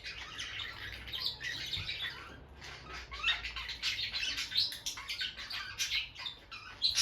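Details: Two peach-faced lovebirds, a bonded pet couple staying close by their nest box, keep up busy twittering: rapid high chirps and buzzy squeaks that grow denser and louder toward the end.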